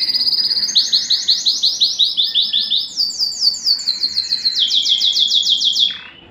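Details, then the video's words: Canary singing to stimulate breeding and excite females. Fast, loud rattling trills repeat in runs and step between higher and lower pitches, then end in a short falling note. "صوت الكناري الاصلي ( صوت جبار يحفز الذكر ويهيج الأنثى للتزاوج )"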